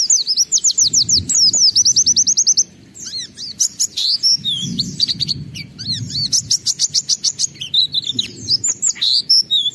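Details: Gacor oriental white-eye, meant to make other white-eyes answer and sing: fast strings of high buzzy rising notes, a jumble of varied chips midway, then renewed rapid trilled bursts.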